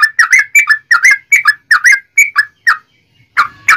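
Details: Sooty-headed bulbul in full song, used as a lure to provoke other bulbuls into singing: a quick series of bright, slurred two-part whistled notes repeated roughly three times a second, then a pause and two final scratchy notes.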